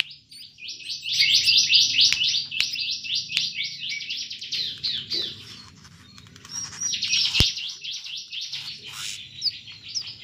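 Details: Caged plain-throated sunbird from Subang in full ngobra, a vigorous song: a fast, dense run of high, sharp chirps repeated about four times a second. The run pauses mid-way and resumes with a brighter burst. A few clicks are heard.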